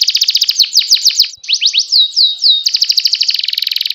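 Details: Canary singing a fast series of bright, high trilled notes, shifting into slower downward-sliding whistles and then rapid buzzy repeated phrases.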